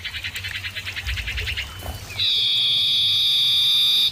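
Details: Common iora voices in a clear, loud call-and-answer exchange: a fast pulsing run of notes about three per second, then one long, steady, piercing whistle held for two seconds.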